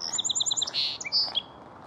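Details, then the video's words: Song Sparrow at Beaver Lake singing a quick phrase: about six bright, rapid notes alternating high and low, then a buzzy burst and a few sharp closing notes. "Song Sparrow"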